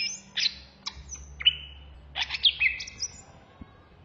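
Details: A greater green leafbird (Chloropsis sonnerati), a kept songbird, sings in two quick, vigorous, agitated bursts of high chirps, sharp slurred whistles and drawn-out falling notes, with a quiet low hum underneath.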